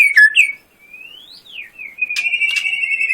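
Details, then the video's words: White-rumped shama giving long pure whistled slurs, rising then falling, followed by a steady held whistle with sharp clicks over it. "Murai batu gacor full tembakan"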